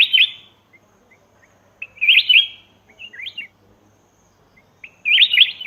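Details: Black-crested bulbul calls from Laos for luring wild birds: loud compact phrases of twisting whistled notes roughly every one to three seconds, with faint soft chips in between.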